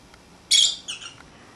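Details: One pet lovebird, out of its cage and playing, gives a brief shrill squawk followed immediately by a softer, descending double chirp.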